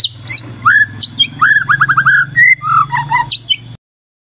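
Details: White-rumped shama singing a varied phrase, meant to get other shamas answering and singing: rising and falling whistled notes, a rapid trilled series and sharp high chips, over a steady low hum.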